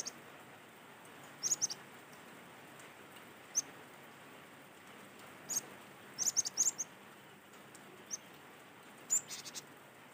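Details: Cinereous tit from Sumatra, recorded in nature and used as a lure to get other tits singing: scattered bursts of very high, sharp chirping notes, some clustered in quick runs of three or four, separated by quiet gaps over steady background hiss.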